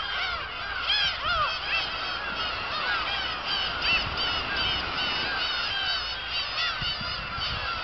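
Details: Kabushima black-tailed gulls, 2 August 2012: distinct arched, cat-like mewing cries stand out, some slurring up then down, over a constant background clamour of the crowded colony.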